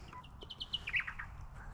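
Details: Fuscus honeyeater calling up in the foliage of woodland west of the Divide, at a travelling stock reserve near Barraba, New South Wales: a quick series of bright chipping notes, rising to a louder ringing peak, then fading, over low background rumble.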